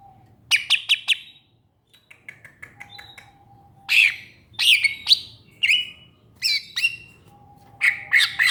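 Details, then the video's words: Song of a greater green leafbird: clusters of sharp chirps, soft twittering, a thin low whistle, then loud slurred notes repeated at short intervals over a low hum. "Burung Cucak Ijo"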